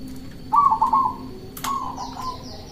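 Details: Zebra dove, a local bird, with song meant to lure doves and make rivals answer: a short rolling trill of soft coos, a sharp click, then a long low purring note, over faint background hiss.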